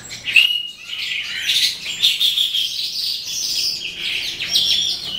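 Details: At the close of the day an Eastern calandra lark, Melanocorypha calandra psammochroa, sings: a brief high whistle, then a steady stream of grating, twittering notes and quick trills.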